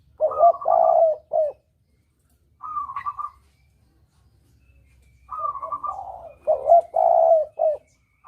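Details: Spotted dove lure call for hunting, double-kuk style: mellow throaty coo phrases mixed with short fluttering trilled notes, separated by gaps of quiet, with a faint low rumble behind.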